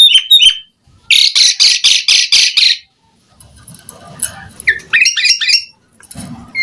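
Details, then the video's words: Energetic Asian pied starling song with pumping display: a few high chips, then six harsh rasping bursts in quick succession, a quieter murmuring stretch, and a cluster of rising and falling whistled notes. "JALAK SUREN GACOR FULL ISIAN Mompa"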